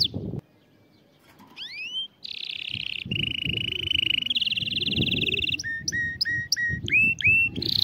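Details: Canary song played for teaching young birds to sing: rising whistled sweeps, then long rolling trills in steady tours, followed by sharp repeated notes with bright harmonics, over a low rumbling background.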